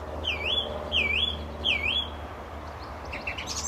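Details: Male Song Thrush singing very close from a telephone wire near a gravel pit at St Albans, Britain, in May 2012: one clear whistled phrase, dipping then rising, repeated three times about every 0.7 seconds, over low steady rumble.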